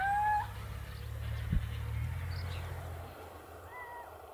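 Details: A little owl in Hortobágy National Park, Hungary, 2015, gives a clear, mewing, slightly rising note, then a fainter falling one about three seconds later, over a steady low rumble.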